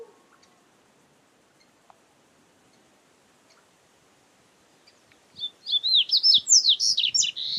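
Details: Wild double-collared seedeater in nature. After five seconds of quiet it begins a rapid, high, sweet warbling song of slurred whistles and chips that runs to the end.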